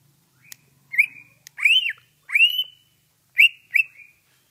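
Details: Greater green leafbird giving ngentrok-style song for tutoring other birds: clean, loud arched whistles sliding up then down, spaced with short pauses, closing with two quick slurred notes.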